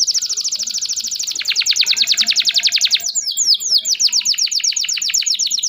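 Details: Long 'gacor' canary song in the 'cuit cuit emosi' style: steady rapid trill of high buzzy pulses that broadens and strengthens, a short burst of swooping notes, then the trill resumes.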